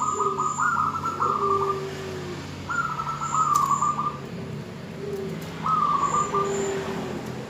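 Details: Female zebra dove calling the male in repeated sequences: each has a stuttering, buzzy trill followed by a lower, falling coo, three times in a row. High paired chirps and a steady low hum run underneath.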